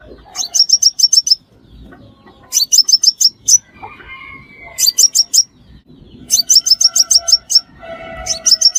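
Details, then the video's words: Sunbird, described as the five-coloured sunbird, recorded as a lure for trapping: bursts of five or six sharp, high chirps in quick runs, repeated every two to three seconds, with softer lower whistled notes between bursts. "Tiếng chim hút mật 5 màu - Dùng để bẫy cực chuẩn"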